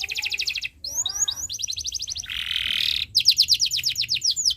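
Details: Canary song used as tutor material for young birds learning to sing, a long chirping style: fast trills of repeated high notes, a series of arched sweeping notes, a harsh buzzy burst, then a rapid ringing trill of evenly spaced syllables.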